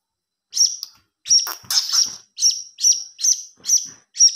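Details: Chick of the blue-crowned hanging parrot begging, used for luring: after a short silence, a series of piercing high chirps, about two per second, with one noisier doubled burst.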